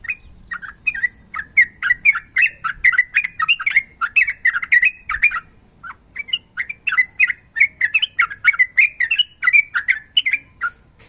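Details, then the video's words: Yellow-vented bulbul (trucukan) in long rapid 'ropel' song used as a training recording, female calling male: bubbly, chattering phrases of short warbled notes, fast and nearly continuous with brief pauses, around the same mid-high pitch throughout. "TRUCUKAN GACOR NARUNG ROPEL PANJANG"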